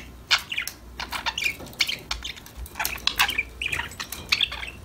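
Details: Pet budgerigars chirping and singing while playing together, a busy stream of short bright chirps and squeaky warbled notes overlapping in quick irregular bursts, with no other sounds.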